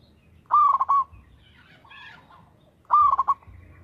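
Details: Local zebra dove (perkutut) singing actively: two cooing phrases about two and a half seconds apart, each a mellow sustained note broken into quick stuttering beats, with faint chirps from another bird between them.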